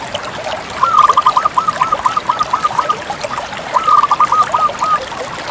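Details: Zebra dove of the Bangkok type in full song: two phrases, each a sharp opening note followed by a fast, even string of rapid cooing notes, the first long, the second shorter, against constant watery background hiss.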